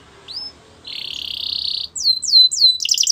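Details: Canary song for training canaries: a single upswept note, a long buzzy rattling trill, three clear descending whistles, then a fast, high, stuttering trill.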